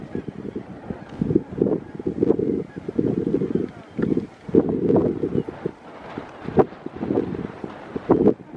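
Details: Thick-billed murre colony on Novaya Zemlya: a dense chorus of low, harsh, growling calls, bursts overlapping every second or so, with wind buffeting in the background.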